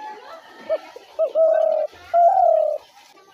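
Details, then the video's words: Spotted dove calling as a trapping lure: two quick short coos followed by a pair of long, level, mid-pitched cooing notes, with a faint murmur in the background. "ঘুঘু পাখির ডাক/Dove bird calls/gugu pakir dak/ dove trap sounds/পাখির ডাক"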